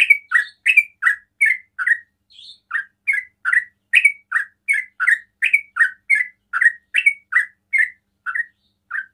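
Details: Ropel-style singing from a sooty-headed bulbul, meant to draw other bulbuls into calling: a long, brisk run of squeaky two-part chirps, each dipping then lifting, repeated more than twice per second with barely a break.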